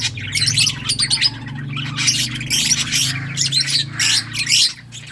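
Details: Lovebirds of several colour mutations chattering loudly, continuous shrill squawks and sharp buzzy chirps in quick overlapping bursts, many birds calling at once above a low mechanical hum.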